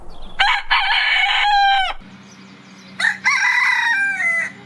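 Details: Morning rooster crowing at length: a bright sustained crow with strong overtones for over a second, a pause filled by low steady hum, then a second wavering crow that drifts downward and fades.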